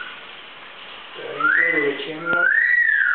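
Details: Captive double yellow-headed amazon parrot singing while dancing at home; a rising whistle followed by a long arched whistle, layered over lower hoarse voiced tones, with a sharp click midway, indoors.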